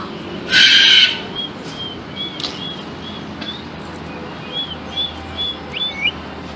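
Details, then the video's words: Galah (rose-breasted cockatoo) gives one loud, harsh screech, then a run of soft, high, chirping notes every half second or so. "Rose Breasted Cockatoo in Mood"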